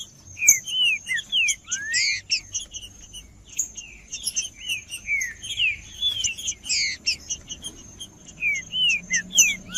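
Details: Green-winged saltator (trinca-ferro) male giving 'macheando' song to warm up and provoke other birds into singing; continuous bright whistled phrases, rising and falling slurs in quick succession, some sharp chips, over a faint steady high tone.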